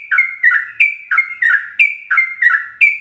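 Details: Ropel-style song of a sooty-headed bulbul, a master recording for tutoring caged birds: clear whistled notes stepping down into mellow gurgled phrases, about nine phrases in three seconds, delivered in a clean, fast rhythm.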